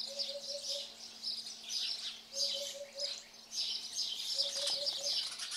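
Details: At Radiquero, Aragon, a Eurasian hoopoe gives muffled, even-pitched four-note hooting phrases three times, about two seconds apart, while many other birds chirp and twitter loudly overhead; a faint steady hum fades out near the end.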